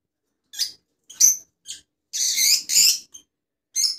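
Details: Rosella, from a set of colour mutations: a rapid series of short high chirps mixed with two longer, harsher screeching notes, all in under four seconds with nothing else audible.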